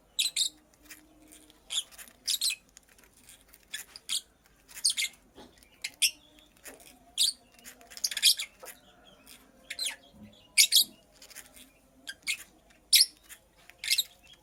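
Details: Female purple lovebird at work making a nest, uttering sharp, squeaky chirps about every half second to second, some in quick doubled bursts, high-pitched and harsh, against a quiet background.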